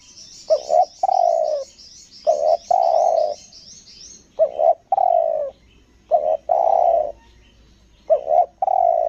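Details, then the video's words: Lombok spotted dove giving a 'selang nguku gagap' lure coo: a brief stuttering double note, then a long mellow coo, repeated five times at uneven intervals, while a small bird twitters high in the background early on. "PIKAT TEKUKUR SELANG NGUKU GAGAP ANTAI BADE."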